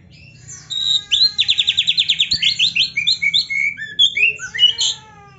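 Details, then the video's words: Training song of an Oriental magpie-robin, played so kept birds gain fighting spirit: a rapid series of repeated rising chirps, then a mix of whistled trills and sharp notes. "KACER GACOR MASTERAN KACER ISIAN MEWAH"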